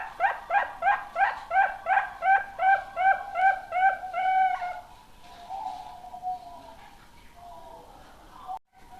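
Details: Young zebra dove raised as a future contest bird in Indonesia, cooing: a rapid even series of about twelve soft hollow staccato notes, quickening slightly, then a drawn-out low rolling purr that fades.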